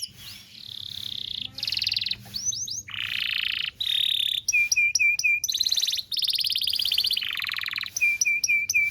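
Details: Belgian canary; song; tutor song for young canaries to learn from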